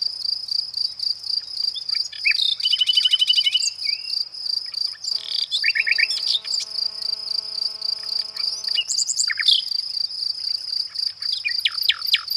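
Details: Singing Nightingale delivers a fast stuttering trill, a long buzzy rattle and scattered sharp chirps, while insects keep up an unbroken shrill hum in the background.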